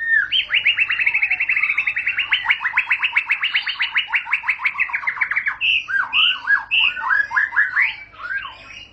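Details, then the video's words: White-rumped shama song opening with a long, rapid, even rattle of repeated notes, then breaking into choppy, varied whistled phrases. "Murai batu bakal langsung ngentrok"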